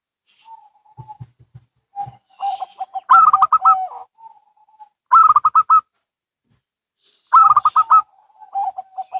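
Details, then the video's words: Local and Bangkok-type zebra doves answering each other: soft low coos, then bursts of rapid bubbly stuttering notes in quick runs, repeated three times with short pauses between. "Perkutut Lokal & Bangkok Bunyi Saling Bersahutan"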